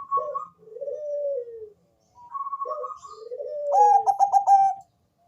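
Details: Song of a Bangkok zebra dove with a heavy bass voice, played to prompt other doves to sing. Two phrases each open with a short whistle and a low descending coo, the second ending in a loud quick-fire trill.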